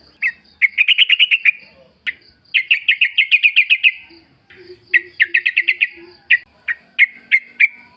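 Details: Yellow-vented Bulbul, a forest-style lively singer in Indonesia, used as a lure to make other birds answer: bursts of rapid, bubbly repeated notes, each run lasting about a second with short pauses, and faint low calls between.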